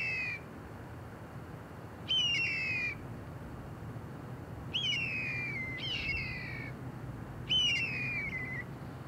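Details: Steller's jay calling from the top of a tree: five harsh, nasal, downward-sliding rasps, each under a second long, repeated every one to three seconds over a low steady hum.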